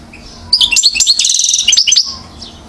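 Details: One-year-old European goldfinch, Mouzaia, Algeria, 2012, gives a short, fast phrase of high chirps and a buzzy rattle, lasting about one and a half seconds.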